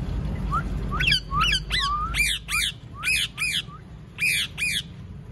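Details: Rose-ringed (ringneck) parakeets in a mini zoo parrot park give harsh, shrill squawks, about ten in five seconds, irregular and overlapping, over a low background rumble.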